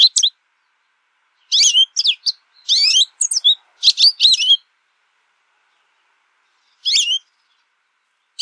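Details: An American goldfinch sings bright, rapid twittering phrases of high, sweet notes, in bursts of about a second separated by short pauses.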